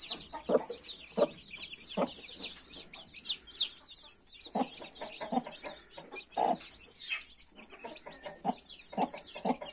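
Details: Mother hen and 31 newborn chicks: bursts of short, low hen clucks separated by quieter stretches, under a constant twittering of high-pitched chick peeps.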